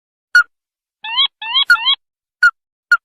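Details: Red-eyed crake lure sound for rice-field trapping: sharp single downslurred notes spaced about half a second apart, with two pairs of rising, layered whistles between them.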